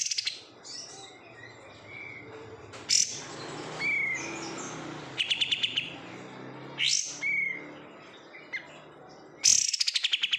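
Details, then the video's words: Caged oriental white-eye raised from bulk-caught birds alternates short whistled slurs with several rapid trilled bursts and sharp high chirps. "menikmati suara kapas tembak"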